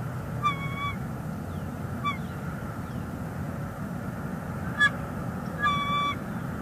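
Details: Female bald eagle on a Northeast Florida nest with a chick, 11 February 2021, calling to her mate perched on a branch: a few short, high, piping notes with rich overtones, spaced seconds apart over a low steady background rumble.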